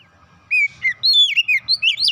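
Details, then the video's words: Household magpie-robin song. After a quiet half second comes a fast string of bright, sweeping whistles, some rising and some falling, with a low faint rumble underneath. "kicauan indah memancing suara Kacer rumahan ikut gacor"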